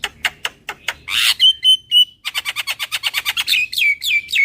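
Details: Lure call of a Javan myna, super kenyih style: sharp clicking notes, then a burst of harsh chatter and level whistles, followed by a fast series of dry rattling notes ending in descending whistled slurs.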